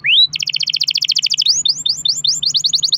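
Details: Canary song in the long-roll style meant to coax other canaries into singing: a single rising whistle, then a rapid even rattle-like roll, followed by a string of quick upward-swept notes repeated about five per second.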